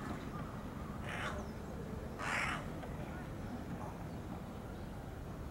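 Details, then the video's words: A juvenile jungle crow calls twice in quick succession, hoarse and grating, the second note louder, against a constant noisy background. "幼鳥ハシブトガラスの 鳴き声"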